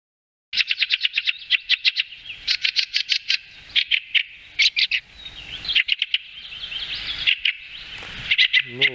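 A fieldfare gives harsh, squeaky chattering in quick bursts of rapid chack notes, run together in uneven groups; a person's voice starts at the very end.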